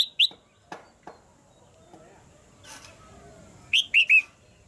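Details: Caged female red-whiskered bulbul, calling to push a male to sing harder: scattered sharp notes, then a quick burst of three bright rising whistles near the end, over a quiet background.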